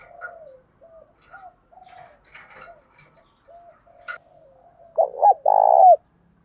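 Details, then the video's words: Spotted dove decoy calling in wild doves, which coo back competitively; several faint, distant soft coos at first, then one loud close phrase of quick coos ending in a long held note. "chim cu mồi thúc kèm gáy gọi bổi nghe rất thổn thức và gáy đấu theo"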